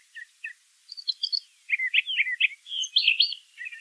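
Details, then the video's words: Brown thrasher (Toxostoma rufum) song outdoors: soft low notes, a high thin twitter, then a loud, fast jumble of rolling and slurred phrases. "Birds Singing - Brown Thrasher"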